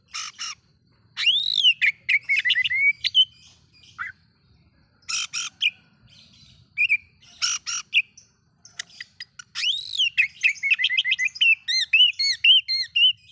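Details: Oriental magpie-robin song used to stir up other magpie-robins: harsh buzzy bursts mixed with arched whistles, ending in a rapid string of repeated curling whistled notes.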